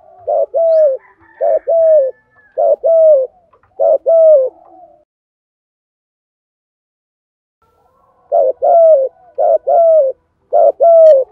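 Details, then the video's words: Spotted doves, male and female, cooing to stimulate newly caught doves to coo: two bursts of low, paired coos, about four quick phrases each, separated by several seconds of silence. "chim cu gáy tập bổi và luyện mồi mỗi ngày, chim ra nhiều bài giúp bổi gáy theo nhanh nổi nhất"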